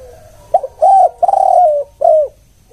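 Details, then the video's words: Lure call of a spotted dove (tekukur): a short grunt-like note, then three low hooting coos, the middle one longest, each dropping slightly at its end, in a quiet setting. "Suara spesial pancingan TEKUKUR KUK1"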